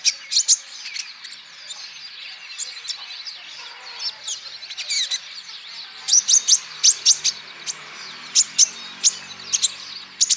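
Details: Olive-backed sunbird song played as a singing lure: scattered high twittering at first, then a dense burst of sharp, piercing chips repeated in quick succession, several per second.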